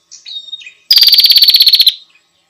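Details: Female bar-winged prinia calling to the male: a few soft, thin whistled notes, then one loud, rapid, buzzy trill lasting about a second, its pulses evenly spaced and very high-pitched.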